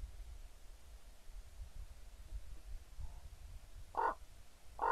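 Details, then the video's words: Common raven pair on 28 October 2016, heard as two loud, hoarse caws near the end after several seconds of quiet low rumble. "kraukļu pāris"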